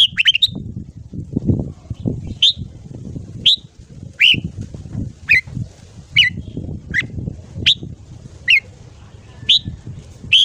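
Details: Red-whiskered bulbul morning song for training a newly caught bird: a quick opening flourish, then sharp single chirps repeated roughly every second over steady low background noise.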